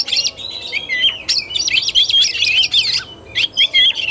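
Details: Oriental magpie-robin in kacer tarung fighting-style song, 17 August 2021, delivering quick high whistled slurs and scratchy chips strung in a busy, varied phrase with brief gaps.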